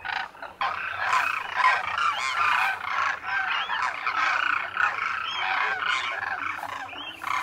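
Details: A wintering flock of thousands of migrant demoiselle cranes at a lake near Khichan, Thar Desert, Rajasthan, India, calls nonstop, overlapping harsh, rolling croaks and trumpeting notes in a dense, continuous chorus.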